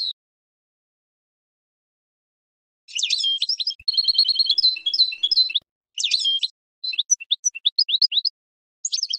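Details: Spring song of a European goldfinch used to train cage birds: several bursts of bright, liquid twittering and tinkling trills, separated by silent pauses, then short scattered chirps.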